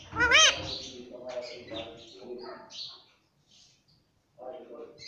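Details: Pet Indian ringneck parakeet talking, said to say "mummy": one sharp arched, harmonic-rich squawk at the start, then softer speech-like murmurs and a brief high fragment before a quiet gap and renewed low chatter.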